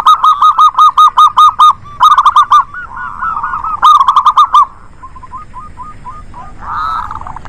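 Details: Local zebra doves cooing in a lively lure meant to get reluctant doves singing: a fast series of clear, arched notes, a jumbled overlapping phrase, another quick run, then softer scattered notes fading out.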